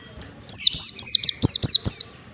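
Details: Warbling white-eye singing the standard ngalas style, a lure recording for teaching white-eyes; seven sharp, very high whistles in quick succession, each dropping steeply in pitch, with faint low taps beneath.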